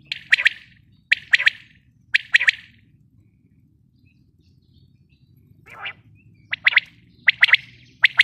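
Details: Calls of a female common quail (batair): clipped doubled and tripled notes in quick groups, then a pause of a few seconds, a soft buzzy note, and renewed note clusters.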